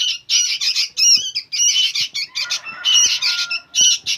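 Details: Noisy young sooty-headed bulbuls give dense, harsh, rasping chatter in overlapping bursts, with a few clearer whistled notes mixed into the scratchy squawks.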